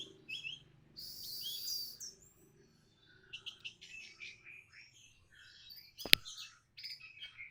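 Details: Orange-headed thrush responding to a lure meant to start it singing: varied high twittering and buzzy phrases in irregular bursts, with a sharp loud click partway through.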